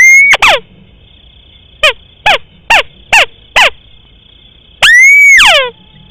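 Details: Rice-field crake call used as a hunting lure: loud arched whistled notes with falling tails, a quick burst of five short notes, then one long arched note, over a faint steady hum.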